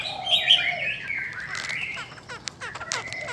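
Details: Caged female Chinese hwamei, da bò type, described as strongly stimulating males; bright whistled notes sliding downward, then softer wavering phrases, while other birds chip and twitter rapidly in the background.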